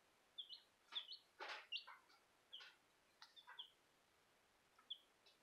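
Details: Baby Bielefelder chickens; several high, short peeps, some overlapping with brief rustling or scratching noises, clustered early then sparse.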